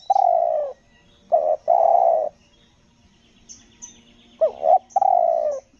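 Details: Spotted dove on Lombok, selang nguku gagap coo during a luring session: long hoarse falling coos alternating with short stuttered double notes, loud and close; thin high chirps of other small birds in the background.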